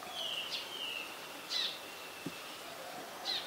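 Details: Brown shrike, a winter visitor, in Ubon Ratchathani, Thailand, on 3 January 2021. It gives short harsh, rasping bursts about a second apart. Thin whistles from other birds run continuously underneath.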